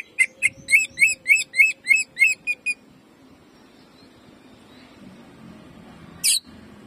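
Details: Greater green leafbird used as a lure to rouse other birds into song; a fast series of about ten sharp whistled notes in under three seconds, then quiet, with one brief harsh chirp near the end.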